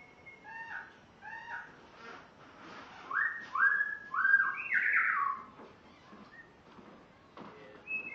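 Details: Captive spotted morning-thrush (Cichladusa guttata) from Tanzania on its first day in a new home, singing rich whistled phrases: paired short notes, then longer sliding whistles and a loud, warbling flourish. A white-rumped shama also sings.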